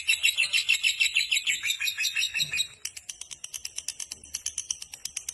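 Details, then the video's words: Long ngekek trill from a fighter lovebird, a fast run of high, scratchy pulsed notes that shifts midway into a thinner, sharper rapid chatter, repeated steadily without pause. "love birds fighter durasi ngekek panjang gacor paling dicari"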